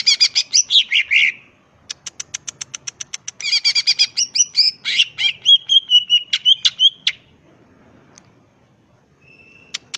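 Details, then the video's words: Greater green leafbird singing full ngetrok as a tutor recording for training birds: raspy chatter, a rapid evenly spaced ticking series, dense buzzy phrases and a wavering whistle, ending in near silence. "SUARA BURUNG CUCAK IJO GACOR.. NEMBAK FULL NGETROK"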